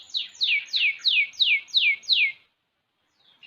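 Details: Six-month-old canary singing energetically, a series of seven loud, clear notes that each sweep downward, repeated about every third of a second, then a short silence and a faint high note.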